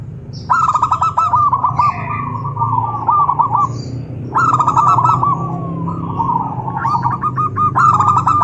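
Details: Zebra dove calling to provoke other doves to answer, with three loud bouts of rapid stuttering coos, each trailing into softer sliding cooing. Low background rumble throughout.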